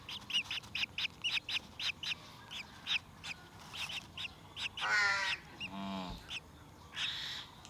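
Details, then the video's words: Parrot chick eager for milk at a sunrise feeding: repeated short, high chirps, then a louder rasping squawk midway, with a brief low human voice and more chirps after. "Adorable Parrot Chick Can’t Wait for Milk"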